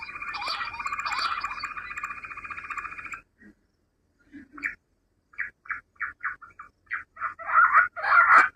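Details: Rock bush quail calls, used as a hunting lure: a harsh, buzzy, continuous chattering for about three seconds, then a short pause and a run of short clipped notes that quicken and grow louder toward the end.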